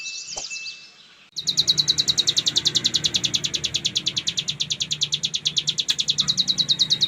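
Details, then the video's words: After a brief high warble and a short pause, a cigun (bar-winged prinia) launches into relentless ngebren singing: dense, rapidly repeated shrill pulses, steady to the end, over low hum; a masteran recording. "Cigun Gacor Full Ngebren"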